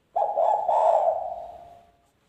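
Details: Wild-style (ngalas) spotted dove lure call, for drawing in wild doves: one husky, low coo starting abruptly, swelling in a second pulse, then slowly fading over nearly two seconds.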